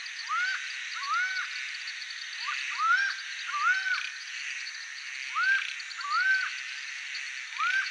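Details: Laughing falcon, called acauã and held in Brazilian folklore to be a bird of bad omen, singing: arched, rising-then-falling notes repeated roughly every second, often in pairs, over a steady high insect buzz.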